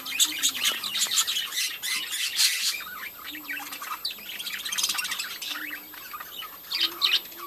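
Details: Breeding colony of budgies, a continuous busy chorus of buzzy, chirping chatter and rapid squeaks from many birds, with short low whistles drifting in now and then.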